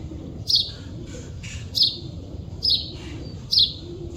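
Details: Four sharp, high chirps from a wild chidiya, a bird recorded in nature, spaced under a second apart and sliding slightly down, with low rumbling background noise.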